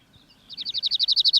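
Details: Cirl Bunting song, sung to mark territory: a dry, rapid rattle of about a dozen identical high notes, evenly spaced at roughly ten per second.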